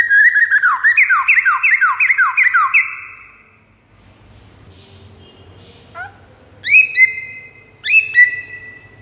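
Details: White-rumped shama song for luring a rival shama: a rapid trill of repeated descending slurs, then a quiet pause and a few loud, sharply rising whistles.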